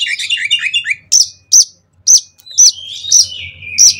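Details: Oriental magpie-robin, kacer, song used to get other kacer singing: a quick run of falling whistled notes, then loud sharp high chips spaced about half a second apart over a long sliding whistle.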